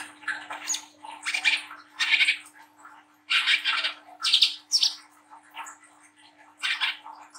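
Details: Brown-throated sunbird, young, giving a lively chattering song to encourage young birds to sing. Harsh, scratchy high phrases repeat in quick bursts with short pauses, accompanied by a steady faint hum.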